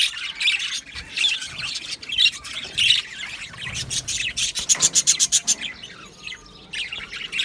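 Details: Budgie colony in an aviary singing and chirping: busy scratchy warbling, then a fast run of about ten evenly spaced clicking pulses, followed by quieter scattered chirps.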